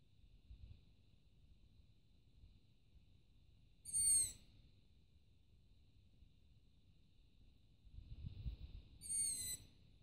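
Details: Begging long-eared owl chick perched on a roof late at night, about 23:30, calling to be fed, captured with a mobile phone: two short, shrill, wheezy squeaks about five seconds apart, with quiet low rumbling between them.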